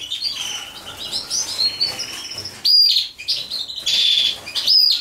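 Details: European goldfinch during mating, giving thin, high twittering notes and short bright whistles in broken phrases, with brief louder bursts near the end and faint rustling in between.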